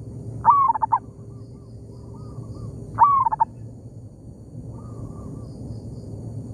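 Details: Local zebra dove in an oil palm plantation, calling back and forth with a decoy bird: two loud phrases, each a swelling note then three or four quick stuttering coos, with softer distant coos answering between them over a low rumbling background.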